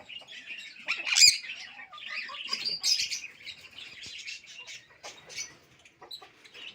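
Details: Pet Alexandrine parakeet that talks in Urdu and English, giving a dense stream of scratchy, buzzy chatter, loudest early on, then fading to sparse quieter notes.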